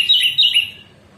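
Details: Orange-headed thrush in a morning 'ngeplong' song, recorded for training caged birds: one short, rich warbled phrase with rapid rising and falling whistled notes, fading out within a second.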